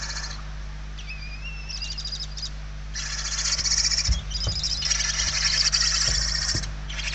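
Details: Hungry barn owl chicks begging inside a nest in Spain, recorded 28 November 2023, one chick very weak: harsh broadband hissing screeches building from about three seconds, with earlier thin whistled tones and a steady low hum.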